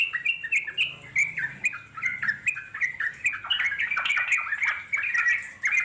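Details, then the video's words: Long unbroken chattering song (ngeropel panjang) of a wild trucuk, the Yellow-vented Bulbul: busy, warbling stream of quick bubbly notes sliding up and down, steady in loudness, faint low hum early on. "puterin suara trucuk alam di jamin lasung nyaut NGEROPEL PANJANG"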